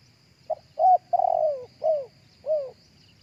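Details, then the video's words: A single cooing phrase from a spotted dove, recorded live for use as a lure through a speaker: a brief note, then a rising coo, a long descending croon and two falling coos, backed by a faint continuous insect drone. "เสียงนกเข้าใหญ่ขันสดๆ เอาไว้เปีดล้อนกต่อหลือไว้ต่อด้วยลำโพง"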